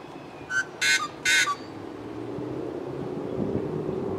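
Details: Yellow-headed blackbird singing a song likened to a rusty door: a short click, then two harsh, broadband rasping buzzes in quick succession. Steady low background noise continues afterward.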